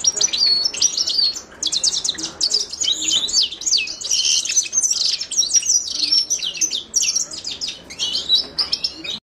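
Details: Carduelis caniceps song: energetic high twittering with buzzy trills and quick chirps, sung in near-continuous phrases with brief pauses.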